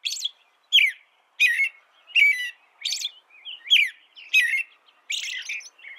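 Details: Song of an American robin: caroling, slurred whistled phrases repeated at a steady pace of roughly one every two-thirds of a second, each with a thin high overtone, no other sounds.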